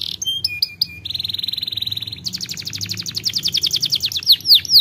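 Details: Canary delivering sharp chips, a steady metallic buzzing trill, then a fast rolled trill that ends in loud sweeping downward whistles.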